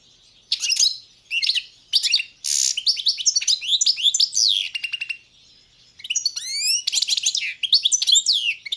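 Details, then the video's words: {'caption': 'Goldfinch (Carduelis balcanica) singing a long, varied twittering song of chirps, buzzy notes, trills and sweeping whistles, broken by one short pause midway.'} "Pesma štiglića, češljugara , grdelina, lokera carduelis balcanica"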